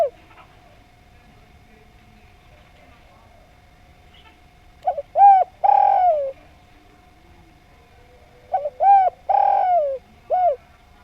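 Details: Two cooing phrases from a Javanese spotted dove after quiet: quick short coos, a long resonant coo sliding downward, then a clipped last note; faint constant hum underneath.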